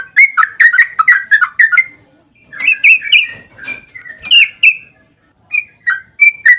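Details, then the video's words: Bubbly, chortling song of a Yellow-vented bulbul, a long rolling phrase played to prompt other bulbuls to respond; fast liquid notes, a brief pause, then further whistled phrases with slight background noise. "Suara burung trucukan GACOR ROPEL PANJANG Pancingan ampuh buat trucukan JADIKAN burung NYAUT emosi"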